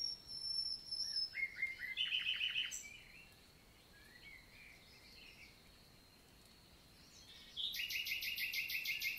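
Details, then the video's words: Common nightingale (Luscinia megarhynchos) singing in summer daylight, La Vallée du Célé, southern France, 11 June 2023; a short run of sharp repeated notes, quiet gap, then a long rapid series of loud, evenly spaced pulses. "NIGHTINGALE MORNING SONG"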